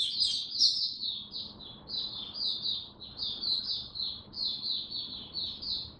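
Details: Oriental white-eye (mata puteh), a caged hobby bird in cold rainy weather, delivers a continuous run of high, rapid twittering notes, steady rhythmic phrases repeating about every half second over faint low hum.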